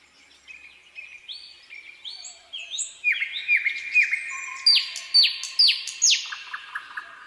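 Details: Nightingale singing: soft opening whistles build into loud, clear notes repeated about twice a second, with sharp downslurred whistles and high ringing accents over a low sustained tone.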